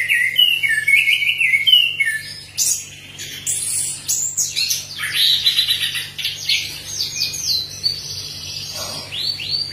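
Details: Prolific orange-headed thrush song, played as a lure to get other orange-headed thrushes singing: looping whistled phrases at the start give way to dense chattering, buzzy notes and sweeping slurs, almost unbroken, over a faint hum.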